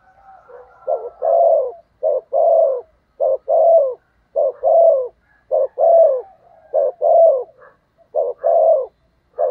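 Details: Decoy spotted dove giving insistent provoking coos meant to stir wild doves, low mellow two-part coo phrases repeated roughly once a second in a steady run, each a short lead-in then a longer rolling note, on a quiet background.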